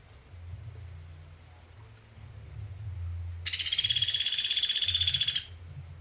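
A Sunda pygmy woodpecker gives one shrill, high, rapid trill lasting about two seconds, with a faint low hum beneath.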